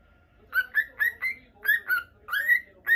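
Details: Rapid run of about eight short chirping whistles from a caged lutino cockatiel, spaced roughly a quarter second apart, each note sliding slightly upward, with a quiet room behind.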